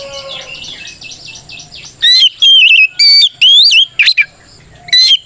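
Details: White-rumped shama song used to stir other shamas into singing: after soft twittering in the background, loud clear whistled phrases rising and warbling arrive in quick succession with short gaps.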